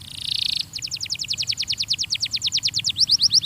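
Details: Belgian canary singing in a training recording: a short buzzy burst, then a long even trill of quick repeated notes, about five per second, shifting higher at the end, over faint low hum.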